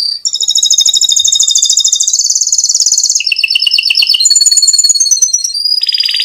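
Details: Canary in full rolling song, recorded as a master track for drawing other canaries into song: loud, clean, very high trills that shift through several sections, each a rapid even roll of tiny notes, with no background noise.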